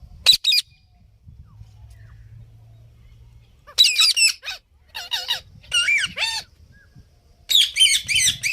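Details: Parrot producing varied harsh squawks and squeaky warbled notes, a brief burst, then a longer jumbled run of rasping calls, with a low hum early on.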